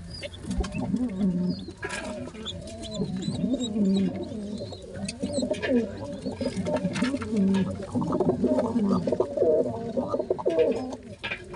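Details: Two baby pigeons being fed together by their father; a continuous stream of low, throaty, pulsing cooing and wheezy begging notes throughout, swelling in loud bursts near 2, 4, 7 and 9–11 seconds, with faint high chirps.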